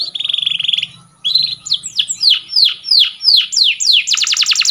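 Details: Canary singing a training song: a quick buzzy trill, a pause, a sequence of clear downslurred whistles repeated about three times per second, ending in a fast rattling trill.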